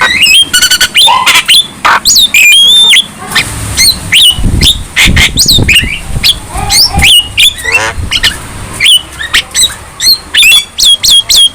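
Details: Young Javan myna singing actively, a varied stream of whistled notes mixed with harsh squawks, clicks and buzzy rattles, sweeping and bent notes crowding in quick bursts with brief gaps.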